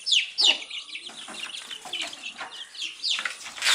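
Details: Baby chicks eating earthworms, giving rapid high peeping chirps, several overlapping at once, with brief scratchy rustles between calls.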